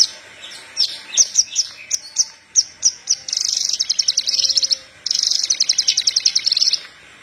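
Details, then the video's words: Horsfield's bush lark of the parva form singing vigorously, recorded as a lure for training untrained larks: high sharp chirps in a spaced series, then two long fast rattling trills of rapid repeated notes. "Branjangan parva gacor pas buat pancingan branjangan bahan"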